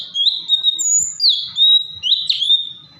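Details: Singing cucak cungkok bulbul: sustained high whistles, mostly level, with brief gliding slurs between them, flowing in one continuous three-second phrase.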